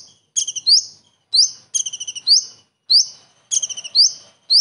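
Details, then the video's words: Song of a common iora filled with kingfisher (tengkek udang) mimicry: repeated stuttering note series climbing into a piercing rising whistle, phrases coming every second or so against a quiet background. "KONIN ISTIMEWA ISIAN TENGKEK UDANG"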